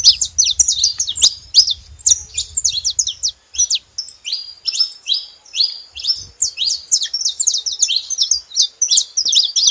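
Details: Saffron finch making noise: a dense, continuous run of sharp high chirps and short down-slurred tweets, quickly repeated for ten seconds with brief pauses, over a faint low rumble.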